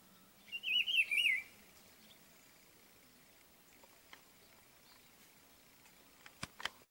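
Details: Territorial song of a rufous-browed peppershrike in an ipê tree: one bright, warbling whistled phrase of about a second, followed by quiet with faint distant bird notes and a few sharp clicks near the end.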